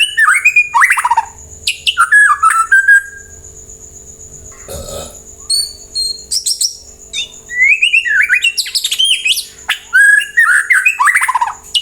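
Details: Song of a white-rumped shama, played to prompt other birds to answer and sing: bursts of whistled and chattering phrases separated by a quiet gap with a low rustle, over a constant high-pitched hum.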